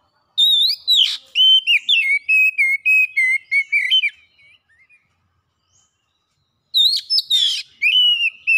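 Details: Oriental magpie-robin lure song intended to make birds sing quickly and show learned phrases: a scratchy burst, a long run of steady whistled notes slowly dropping, silence, then a rasping burst and whistles again.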